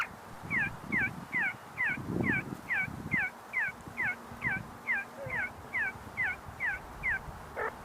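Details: Group of see-see partridges calling while foraging and fighting at the University of Sulaimani, Kurdistan: a long, even run of short falling notes, roughly two per second, with low rumbling background noise and faint rustling.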